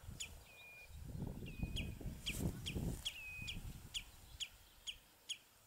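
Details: House sparrows on a bramble branch at Battenoord, recorded with a compact camera: thin, high chirps about every half second, some drawn into short level notes, over a steady low rumble of wind or handling noise.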